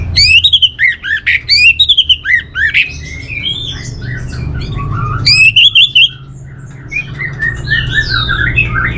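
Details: Orange-headed thrush singing: bursts of sharp, rapid chirps alternating with loud, varied whistled phrases that rise and fall. Pauses between phrase groups are short, and a low background hum runs throughout.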